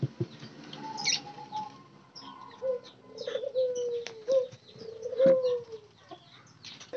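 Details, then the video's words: Low, mellow cooing from spotted doves, wild birds housed as a group and given daily care: three soft, gliding coos in a row, with faint higher chirps and scattered clicks in a quiet room. "perawatan harian derkuku ombyokan agar cepat gacor"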